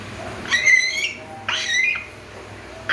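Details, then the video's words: A captive 3-month-old baby African grey parrot, bred in an aviary, learning to whistle: two rising whistled notes with bright harmonics, each about half a second long, the second following about a second later, in a quiet room. "Burung African grey belajar siull"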